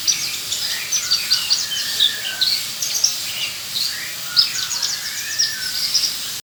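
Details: Australasian bushlark in full, active song: a continuous string of high, bright chirps, short whistles and quick slurred notes, changing pitch often, with steady background hiss.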